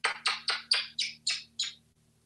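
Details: Pet African grey parrot, a talkative male hatched in 1997, kept indoors in a home in Texas, playing: seven quick harsh, raspy descending chirps about a quarter second apart, fading toward the end, with a low steady hum behind.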